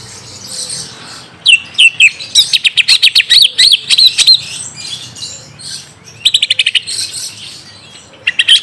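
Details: Lure song for a young green leafbird, played to draw an answer: dense bursts of high, rapid chattering notes in quick trills, separated by quieter pauses, with faint background hiss.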